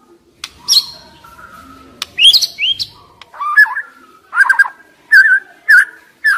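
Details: White-rumped shama lure song for stressed young forest shamas. Scattered high whistles and sweeping notes are followed by a string of short, rich warbled phrases spaced about half a second apart, over faint background hiss.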